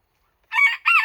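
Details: Clipped crowing from a Japanese bantam kept with a Ginsasa companion: two short, rough, nasal syllables in quick succession, the second slightly higher and arching, cut off abruptly at the end.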